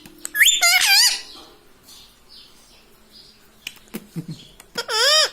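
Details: Caged-at-home ringneck parrot gives a quick warbled burst at the start, then quiet room noise and small knocks, ending on a long, looping, rising-and-falling phrase.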